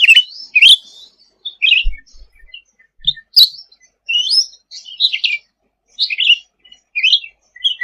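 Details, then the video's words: Sooty-headed bulbul singing actively for songbird tutoring: loud, varied bursts of bright chirps and quick warbled phrases separated by brief pauses, with occasional sharp knocks. "Suara Cucak Ranting Gacor untuk Masteran ll Suara burung cucak rante"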